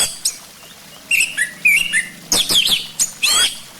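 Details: Orange-headed thrush song played to coax the bird into singing: soft whistled phrases with falling slurs, then loud harsh scratchy bursts and rapid chirps.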